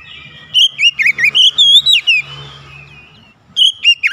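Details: Magpie-robin giving a rapid run of sweet, warbled whistles that rise and fall, followed by a short pause and a final burst of looping notes, over a faint low hum.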